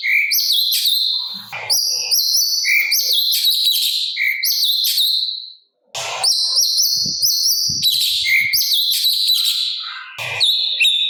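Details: Sooty-capped babbler, master song in 'gacor' style with a harsh 'kasaran' filling for training birds: repeated buzzy high phrases ending in lower whistled notes, a short silence midway before the song resumes.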